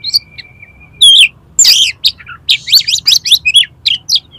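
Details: Oriental magpie-robin challenging a rival to fight, tail fanned and unloading its song repertoire: a thin steady whistle opens, then loud harsh bursts and quick, looping high phrases follow in a tumbling, varied stream.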